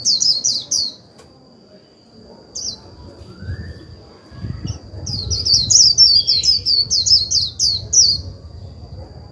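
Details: Decoy white-eye's líu song used to stimulate a newly caught bird: a short burst of high chirps, a long pause with one isolated note, then an extended run of fast, descending sibilant twitters.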